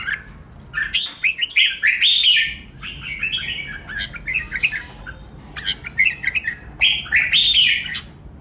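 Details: Red-whiskered bulbul being trained for competitive singing: rapid chirpy, warbling phrases follow one another almost continuously, with short gaps and a strong rising flourish near the end.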